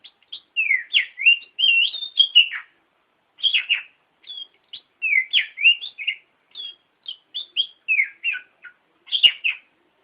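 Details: Kacer, the Oriental magpie-robin, singing a varied lure song for training birds: quick bursts of short sweeping whistles and chirps, some swooping down, others flicking up, broken by brief pauses, with a quiet background.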